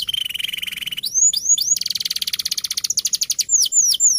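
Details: Rolling song of a champion canary, kept as a tutor for young birds: a long buzzy trill of rapid pulses, then sharp rising whistles, a higher rattling roll, and more clear up-swept notes at the end.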